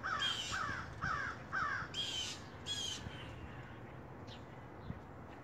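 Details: Big black crows near a house on a rainy day: four quick descending caws in a row, then two louder harsher ones, followed by fainter distant calls and rain-like hiss.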